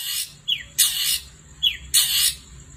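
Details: Long-tailed shrike calling at night: loud, harsh, rasping bursts roughly half a second long, each preceded by a short descending whistled note, in a pattern repeated about every 1.2 seconds.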